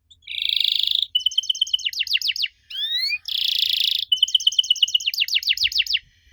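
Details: Canary song intended to make young canaries sing back: a buzzing roll, a fast chirp series breaking into steep descending notes, two rising slurs, another buzz and a closing run of chirps.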